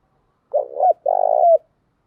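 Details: Spotted dove cooing as a lure, a female's voice to make males respond quickly: a loud low coo followed closely by a longer pulsing, vibrating coo ending with a slight downward slur; quiet background.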